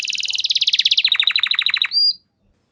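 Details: Canary training lure song: a rapid rolling trill that steps down in pitch, ending in one short rising whistle, then silence.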